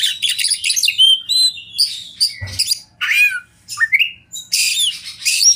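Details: Fighter-type oriental magpie-robin in full song: loud bursts of harsh, buzzy high notes mixed with sharp whistled slurs and a falling and rising whistle, phrases separated by brief pauses, with one faint low thump midway.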